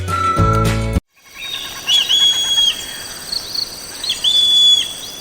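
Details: Legge's hawk-eagle, Yala National Park, Sri Lanka: two shrill, high whistled calls about two seconds apart, each a quick rising note drawn into a long level whistle, after a short burst of music.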